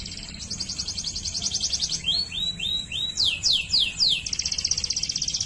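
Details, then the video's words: Waterslager canary song: a fast high rolling trill, then a series of gliding whistled notes, a few sweeping slides, and a return to a rapid pulsing roll. "Canario Waterslager Canto"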